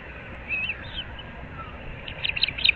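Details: Osprey at a nest at Moorings Park, Naples, Florida, home of a breeding pair, recorded at 06:37 on 15 April 2024. Short high whistled chirps near half a second, then a quickening burst of sharp chirps at the end over steady background hiss.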